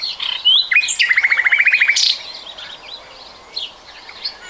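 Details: Common nightingale in 2020, singing a loud rattling trill of about fifteen fast repeated notes after a few whistled slurs, followed by quieter chirping from surrounding birds.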